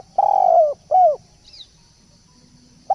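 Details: Turtle dove singing: two low, purring coos, the first long and slightly rough, the second shorter and bowed, then a pause before another note starts. A faint high chirp from another bird sounds between them.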